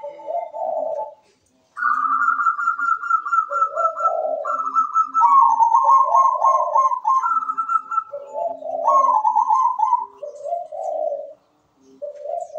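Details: Zebra dove (perkutut) cooing vigorously in its manggung song style with a good rhythm. Soft mellow coos alternate between lower and higher rolling phrases in a steady, lilting sequence, with a short pause near the start and near the end.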